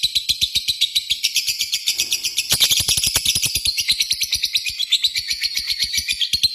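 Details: Lovebird ngetik calling continuing into a long ngekek trill, played as a lure: piercing high chatter over fast, somewhat irregular ticking, swelling louder after the second second.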